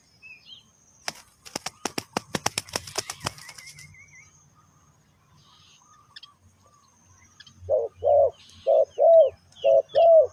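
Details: Spotted dove call used to lure wild birds: wing flaps and rustling first, then after a quiet gap six low, hollow coos in steady rhythm, about one every half second.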